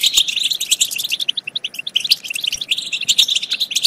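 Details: European goldfinch song used for stimulating goldfinches to sing and mate. Crisp, tinkling chirps tumble quickly one after another in uneven clusters, with a few sharp accented notes, throughout the short stretch.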